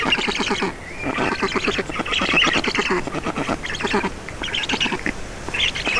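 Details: At a black stork nest in Estonia during a feeding on 4 June 2019, evening; continuous chattering, coarse pulsed calls in overlapping bursts, with a faint thin whistle near the start.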